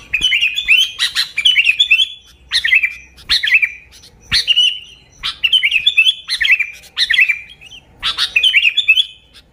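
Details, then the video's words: Lively song of a sooty-headed bulbul, meant to attract and lure bulbuls: short bubbly whistled phrases repeated about every second, each opening with a crisp rattle, in bursts separated by brief pauses. "Suara Burung Kutilang Gacor ASLI Tanpa isian, Ampuh untuk Pikat Kutilang bikin kutilang Ribut gacor"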